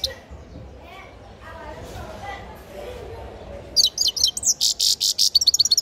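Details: Grey-crowned goldfinch nestling: quiet at first, then a sudden bright run of rapid, high tinkling and buzzy notes in the final two seconds.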